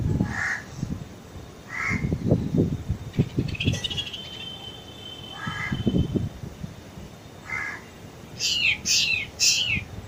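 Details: Black drongo calling: harsh, nasal notes repeated every couple of seconds, then a quick run of scratchy, rising high notes near the end, over steady low rumbling background noise.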